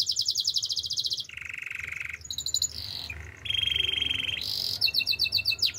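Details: Male canary singing: rapid high trills that jump between pitches, a lower buzzy roll in the middle, then bursts of quick downslurred whistled notes.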